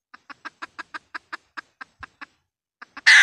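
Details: Decoy red junglefowl hen calling, used by trappers with a loudspeaker to lure wild junglefowl into snares: a run of about twelve short, evenly spaced clucks, then a pause, two more clucks and a sudden loud burst of noise.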